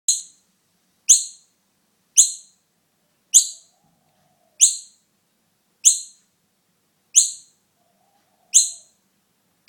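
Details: A young Noisy miner, found alone with no mother in sight and taken home to be cared for, gives sharp, high, down-slurred calls, nine in a row, one every second or so, against an otherwise quiet background.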